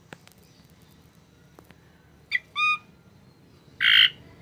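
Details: Tame Asian pied starling giving a few short calls: a brief harmonic note, then a nasal rising note, and near the end a loud harsh raspy squawk, with quiet clicks and low hum between.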